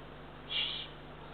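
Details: A young ringed Eurasian eagle-owl, the third owlet, walking on the ground near its nest in northern Estonia at 7:35 pm on 24 June 2023, gives one short, breathy hiss under half a second long over a faint steady hum.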